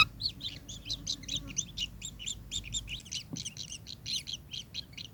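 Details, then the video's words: Kingfisher with a dense, chattering stream of overlapping high, harsh notes, fast and irregular, possibly more than one bird, with a faint low thud partway through. "burung tengkek"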